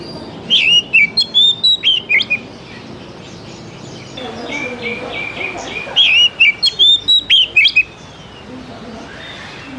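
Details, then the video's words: An oriental magpie-robin sings as a lure to prompt young forest-caught juveniles to sing quickly. Two bright bursts of rapid, pure whistled notes with sharp ticks, each phrase about two seconds, separated by softer chattering and steady background hiss. "SUARA PANCINGAN DASAR UNTUK KACER BAKALAN MUDA HUTAN TROTOLAN AGAR CEPAT BUNYI"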